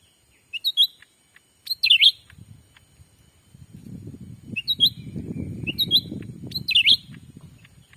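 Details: Black-capped bulbul calls used as a lure for wild birds in Sumatra: short chirp pairs repeated at intervals over a steady low rumbling background that swells midway.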